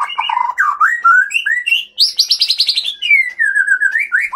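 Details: Male white-rumped shama from Bahorok in Aceh's Leuser mountains, rich in learned fill notes, singing more aggressively at an equal rival. Continuous fluty whistles swoop up and down, with one rapid high rattling trill in the middle.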